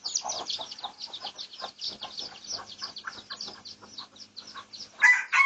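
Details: Research recording of Pradu-coloured red junglefowl, 18 August 2023: a dense, fast series of high piping notes mixed with lower chirps, around three per second, ending in a sudden loud, harsh sound.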